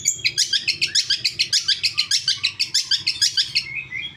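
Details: Long-tailed shrike singing, used to spur caged shrikes to respond morning, noon and evening: a rapid, steady series of harsh chattering notes, about three per second, fading into a soft trailing warble at the end.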